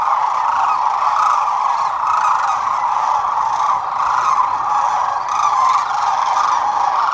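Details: Roaring chorus of about 12,000 sandhill cranes at Whitewater Draw, recorded February 19, 2021: dense, overlapping rolling bugles merge into one continuous wash of sound.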